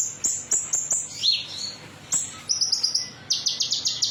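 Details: Konin bird in metallic style, a lure to prompt singing in other birds: evenly spaced high whistles, a falling slurred note, then fast buzzy trill series.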